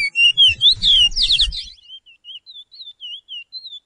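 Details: Training song for caged Chestnut-bellied seed finches, the Surinamese Picolet or Curio, 'pije pije' style: opening tangle of loud warbled whistles over low rumble, then a clean string of rising-and-falling whistled notes about twice a second.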